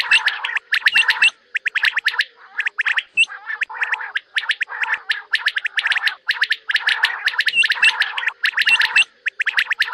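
Common quail calling in dense, rapid bursts of sharp, clipped notes, about one burst per second, with little else heard.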